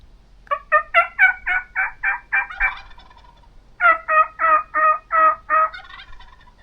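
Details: Wild Turkey tom in the Idaho backcountry in spring, in a canyon near a hunter's setup, gobbles twice. The tom is described as hot and reluctant to leave. Each gobble is a rapid, rattling burst of about eight throaty notes over two seconds, with a brief pause between.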